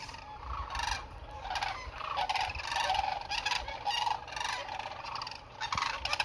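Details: Sandhill cranes migrating through south central Nebraska in 2021, heard from about 30 meters: many overlapping rolling, rattling bugles from a large flock, steady chorus throughout with no clear gaps.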